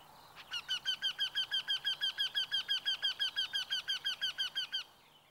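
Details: A Eurasian wryneck calling in Sweden: a steady run of about twenty nasal, slightly plaintive 'quee' notes, evenly spaced and level in pitch, over a quiet background.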